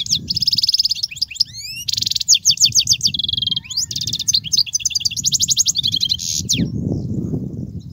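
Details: European goldfinch song meant for teaching young goldfinches: fast tinkling twitters, buzzy trills and sweeping upward notes run almost without pause for eight seconds, with a low hum underneath.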